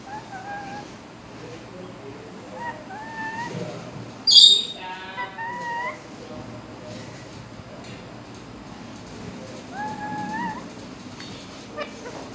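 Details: Rose-ringed parakeet talking in Urdu and Hindi, saying "mian mitthu". Short gliding, speech-like tonal phrases are broken by one sharp, piercing screech, all over a soft background hiss.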